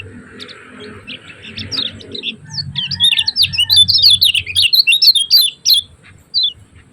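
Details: Kecial kuning of Lombok in lively ciak-ciak chirping, used to tutor and provoke other birds into song: a dense run of high, sharp, bending chirps building over several seconds, with faint low background hum.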